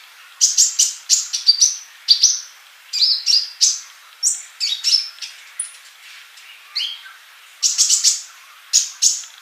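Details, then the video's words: Sunbird in vigorous song, a master recording for training birds: bursts of sharp, high chirps and short whistled notes in quick clusters, with brief pauses and one long thin whistle midway. "MASTERAN UNTUK BURUNG COLIBRI GACOR"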